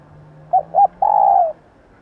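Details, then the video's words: Hen spotted dove, whose call is used to rouse newly caught birds and train decoys: one phrase of two short notes, then a half-second coo sliding slightly downward, over a low steady hum. "Kích bổi - tập mồi nhanh nổi Hiệu Quả bằng tiếng chim cu gáy mái / Tiếng cu gáy mái"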